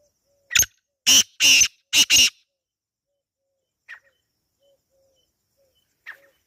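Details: Black francolin, wild, recorded outdoors in natural surroundings, gives a grating phrase of five harsh notes. One short note comes first, then a longer pair and a close final pair. A few faint, thin notes follow in the quiet afterwards.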